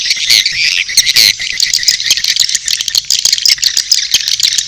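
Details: Swiftlet mating calls and chick calls together: rapid, rattling high chirps pour out continuously, with a few sharper squeaks near the start.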